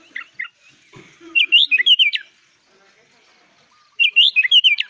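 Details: Sooty-headed bulbul singing in the energetic 'gacor, full isian' style used as tutor song for young birds: a few scattered chirps, then two bursts of rapid, bubbly, slurred whistled notes, each lasting about a second.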